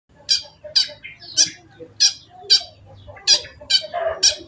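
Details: Long-tailed shrike (cendet) singing harsh, squawky notes, each burst repeated about twice a second in an uneven rhythm, with a few lower rasping notes between them.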